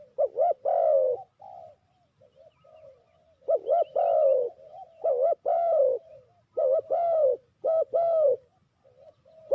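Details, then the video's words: Spotted dove used as a decoy for bird trapping, giving loud repeated cooing phrases: a quick double coo followed by a longer, rolling falling coo, with softer short coos between, phrases recurring about every two to three seconds. "Sound Of Spotted Dove is so good"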